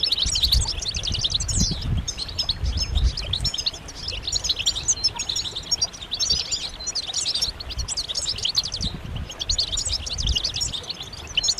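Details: A chorus of European goldfinches, offered as mating and readiness calls meant to stir males into song, gives dense, overlapping, high tinkling twitters and buzzy chatters without pause, over a low rumbling background noise.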